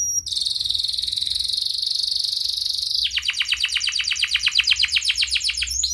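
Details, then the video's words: Atlantic canary singing a lure song to set canaries singing. A long, high, sizzling trill gives way halfway to a rapid run of sharply sweeping chirps, about five or six a second. "Kenari gacor NGEREK Cuit cuit EMOSI"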